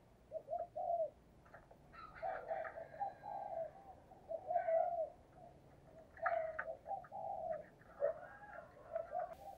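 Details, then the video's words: Decoy spotted dove used to draw in wild doves, repeating low 'thúc gù' coo phrases in steady succession, each a short pair of notes and a longer coo. Other birds chirp faintly higher up, against a hissy background. "cu gáy, Mồi cây thúc gù chuẩn căng đét"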